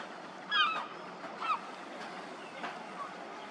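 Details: A juvenile Lesser black-backed gull begging and being fed gives thin, plaintive whistles that slur downward, two close together, then a fainter third, over steady surf or wind noise.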